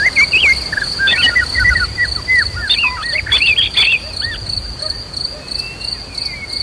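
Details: Emotional white-rumped shama song used to incite other birds to fight and sing. A rush of rapid whistled and slurred notes fades into sparse soft whistles, with a steady high insect drone.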